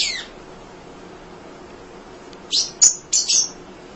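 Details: Munia singing tirelessly as a tutor for other songbirds: after a short high opening note, a cluster of four sharp, high chirps and thin whistled notes arrives in quick succession against faint background hiss.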